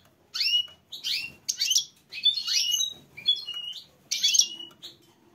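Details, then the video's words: Female goldfinch giving mating calls: six bright, high-pitched twittering bursts, each a tight cluster of sweeping chirps, coming roughly every second against a quiet background. "A female goldfinch call for mating"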